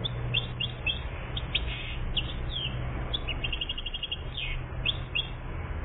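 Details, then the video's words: Song of a one-year-old European goldfinch, Algeria, 2014: bright clipped chirps and fast twitter phrases, including a quick even series of repeated notes midway, over a low droning hum. "Best chardonneret 1 year Algérie 2014"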